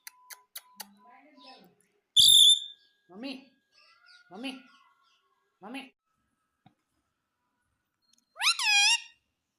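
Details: Talking pet parrot, or tota, said to call mummy and mitthu; a sharp high squeal, then a few low short grunts spaced about a second apart, ending with one loud arched harmonic utterance.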